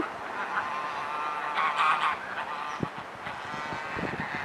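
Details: Geese in a local park, telling each other off, honk in the background: a burst of nasal calls bunched around the middle, over steady outdoor rumble with a few sharp knocks.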